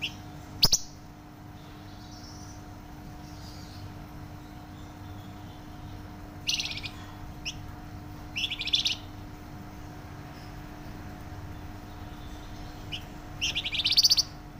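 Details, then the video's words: Actively singing Flamboyan bird, described as loud and dense: widely spaced short bursts of high, buzzy, rattling notes separated by long quiet gaps, with a constant low electrical hum behind. "Burung Flamboyan gacor suara nyaring dan rapat"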